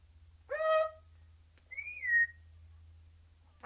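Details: Caged lone parrot giving sporadic, noncoherent chatter: a short harmonic squawk, then after a pause a rising-and-falling whistled note, with another squawk starting at the end over a low steady hum.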